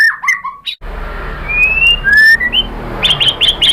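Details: White-rumped shama: several slurred whistles, then long rising whistled notes over a hissy background, ending with quick repeated chips.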